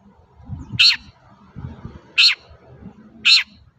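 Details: Long-tailed shrike recorded as a lure to prompt other shrikes to sing. Three rasping, screechy bursts about a second apart rise above a steady low rumbling background.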